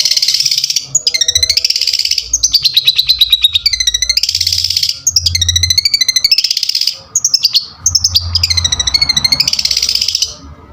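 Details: Energetic Long-tailed shrike song, recorded as a trigger sound: loud, varied phrases of rapid buzzy trills and rattling repeated notes mixed with harsh, noisy bursts. The phrases are broken by brief pauses, and faint low background hum runs throughout.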